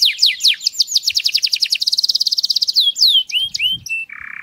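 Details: Canary singing for mating: quick falling whistles accelerate into a dense rapid trill, then rising sweeps and a short low buzz at the end, with a faint rustle in the background.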